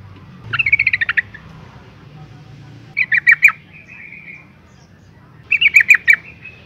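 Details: Female yellow-vented bulbul, calling so males will sing, gives three rapid clusters of bubbly, warbling notes several seconds apart, each a quick run of about six to eight notes.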